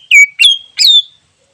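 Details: Greater green leafbird from the wild, for luring: three loud, clear whistles, the first dropping downward, the next two rising sharply then gliding down into a sustained tone.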